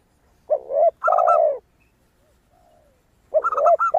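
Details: Zebra dove singing with a crystal tone, used as a lure to prompt other doves: a bowed coo and a long sustained note, a quiet gap with a faint distant coo, then a fresh trill and coo.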